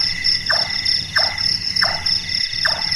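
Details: Large-tailed nightjar, a night-active bird known locally as burung tukang, calling four short knocking notes about 0.7 seconds apart, each dropping sharply in pitch, over a steady high whine of insects.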